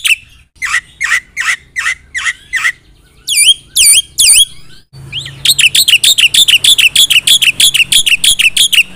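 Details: Energetic gacor song of a Black-winged myna full of isian: spaced sharp chirps, then a few looping upslurred whistles, then a dense rapid chatter of high notes.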